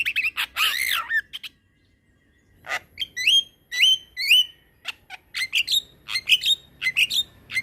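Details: A black-winged myna's long rolling tutor song: a loud harsh wavering squawk, a pause, then clear rising whistles and quick high chips repeated in a busy sequence.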